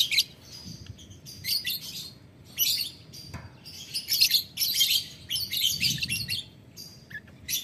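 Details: Lovebird calling a rival with ticking, cackling chatter, repeated bursts of shrill, scratchy, high chirps, each lasting about half a second, separated by short quiet gaps.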